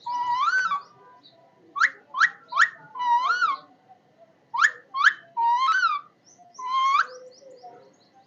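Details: Parrot giving a series of about ten clear, whistled calls, each rising then bending, separated by short pauses, with faint background noise.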